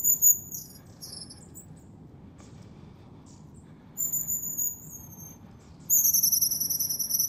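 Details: January recording of wild long-tailed tits near the Zvenigorod Biological Station, Moscow Oblast: a few thin high notes, a pause, then a sustained series of piercing, level high-pitched tones ending the passage.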